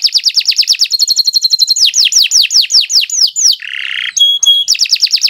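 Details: Canary delivering sustained song meant for teaching other birds: a quick trill that shifts into a run of loud, down-slurred whistled notes about five per second, a short buzzy note, a thin high whistle, then renewed trilling.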